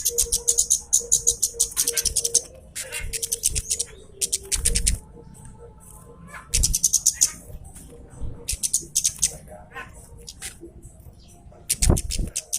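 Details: Javan cochoa, loud calls played to lure and provoke a rival: dense bursts of shrill, high chipping notes in runs of one to two seconds, separated by pauses, over a steady low hum and faint background noise.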